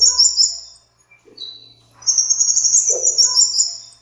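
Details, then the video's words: Sunbird calling as a hunting lure: a high, sibilant twittering burst, then a brief pause with a few faint low notes, followed by a long, rapid, shrill chittering trill. "Sun Bird Sounds ✔️Sun Bird Calling Sound Effect Mp3"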